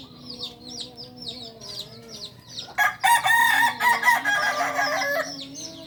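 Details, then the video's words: Kokok Balenggek rooster, a singing chicken breed native to Solok, on a farm in Solok city: a loud, harmonic-rich crow broken into several stepped syllables lasting about three seconds, after a stretch of high, quick chirps from small birds and a low steady hum. "Ayam kukuak balenggek ayam penyanyi asli solok"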